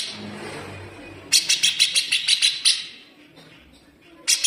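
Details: Grey-cheeked bulbul's fast, harsh, sharp besetan chatter, used as a tutor recording for cage birds: after a quiet noisy start, a rapid run of about nine high, buzzy, evenly spaced notes, then one more burst near the end.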